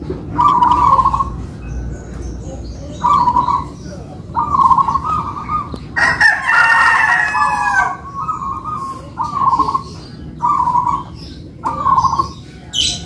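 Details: Two local-type kept zebra doves singing in duet (manggung style): bubbly, rolling coos repeated every second or so, with a loud rooster crow breaking in midway.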